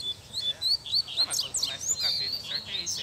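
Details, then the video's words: Double-collared seedeater in full song out in the bush: a fast, dense run of high whistled and chirping notes, slurred up and down and repeated without pause, a bright continuous warble with steady background hiss. "Coleiro Braddock Solta o Canto no Mato!!! Coleiro Altas Horas Batendo Firme!!!"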